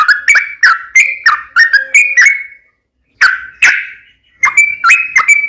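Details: Sooty-headed bulbul giving tarung fighting song in uplik ropel style. Short slurred whistles come in a quick chain, then a pause, then two emphatic notes, a gap, and another run of liquid whistles.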